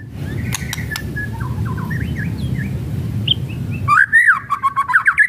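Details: White-rumped shama singing kretekan to stir other shamas: faint scattered whistles over steady low rumble, then at the end a loud burst of looping whistles and rapid chattering notes.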